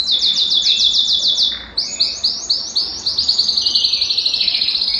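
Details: Belgian canary singing to encourage a cold canary to sing. A quick descending chirp series leads into sharp, spaced notes, then an accelerating, rolling trill of very rapid high pulses.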